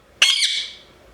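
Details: Captive Indian ring-necked parrot kept indoors, one sudden shrill squawk with a brief second pulse, fading out within roughly half a second against quiet room background.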